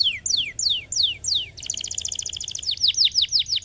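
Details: Canary song played to stimulate lazy canaries to sing: a series of clear whistled notes sweeping downward, then a rapid buzzy trill of stacked pulses, followed by more falling whistles.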